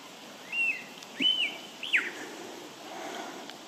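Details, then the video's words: Mimicking lyrebird of Australia gives three separate whistled notes, each flat then dropping or arching, spaced about half a second apart over quiet background hiss. "Bird Sounds From The Lyre Bird"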